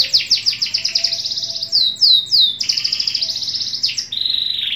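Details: Canary (kenari) from Pemalang, Central Java, Indonesia, singing a fast, varied song: rapid trills of high chirps, sweeping downward slurs and buzzy rolled phrases, with a steady quiet hum beneath.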